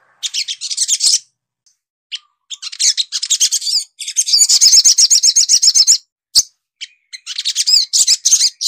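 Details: Brown-throated Sunbird, a species of mangroves, coastal scrub and yards, pouring out loud bursts of high, sharp chirps and twittering notes, about four a second, in phrases split by short pauses.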